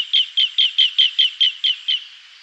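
An Asian green bee-eater gives nine shrill, slightly trilled notes, about four a second, that drop a little in pitch and fade at the end.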